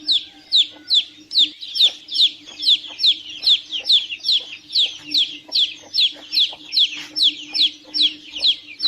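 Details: Dense, continuous peeping from chicks: shrill descending notes follow one another rapidly for nearly nine seconds, some from more than one bird, over a steady soft hum.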